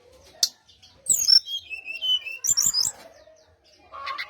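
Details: Lure song of a brown-chested jungle flycatcher: a sharp high note, then sweeping descending whistles, a burst of crackly chattering notes and a faint closing warble.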